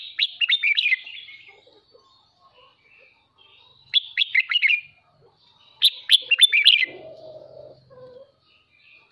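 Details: Red-whiskered bulbul kept as a cage bird gives its morning kích bổi training song: three lively phrases of clipped, tumbling notes, roughly two seconds apart, followed by a short low buzzing noise near the end.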